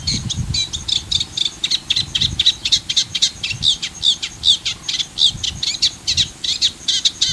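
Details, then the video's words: Eurasian reed warbler (Acrocephalus scirpaceus) singing at El Fondo Natural Park, Valencia, Spain: a steady, chattering run of harsh, scratchy high notes, several a second, over a faint low rumble. "Carricero común (Acrocephalus scirpaceus) Eurasian Reed-warbler"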